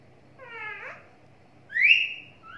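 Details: Talking parrot kept as a pet, uttering a wavering harmonic note that slides downward, then after a short gap a loud, bright whistle rising sharply and fading, with the start of another rising note at the end.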